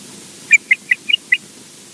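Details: An osprey at RSPB Loch Garten, Scotland, gives five quick, high whistled chirps, each about a fifth of a second apart, with a soft background hush.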